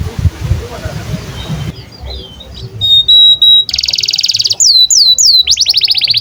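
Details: Canary song for training young canaries, beginning with faint background noise, then steady whistled notes, a buzzy trill, downslurred whistles and a quick run of falling notes.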